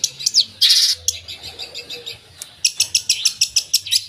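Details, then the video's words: Long-tailed shrike (cendet) singing a gacor song full of 'isian' mimicry: loud harsh bursts, a quiet pause, then a quick series of sharp high notes. "Suara Burung Cendet Gacor full Isian"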